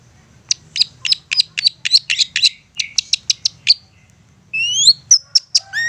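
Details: Long-tailed shrike in a persistent provoking song that draws a reply: rapid chattered notes about four per second, then a pause, then rising whistled slurs and sharp high upswept notes; low background hum.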